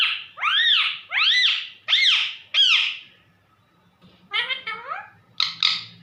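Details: Pet parrot calling for its owner, four loud arched squawking calls in quick succession, then after a pause a shorter series of wavering talk-like squawks, with faint household hum behind.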